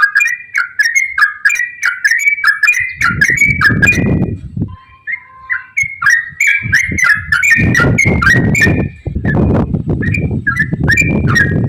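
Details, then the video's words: Energetic yellow-vented bulbul song played to get other bulbuls singing: fast slurred whistles tumbling up and down, a brief pause with soft low tones, then more whistled phrases over heavy rumbling background noise. "KICAU TRUCUKAN GACOR ROPEL AMPUH UNTUK PANCINGAN TRUCUK AGAR AKTIF BUNYI DAN GACOR"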